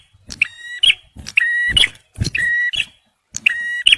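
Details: Male bar-winged prinia in full song, meant for luring and prompting stressed birds: four rasping, evenly pitched buzzes with sharp clicking edges, mixed with brief low thumps and soft knocking sounds.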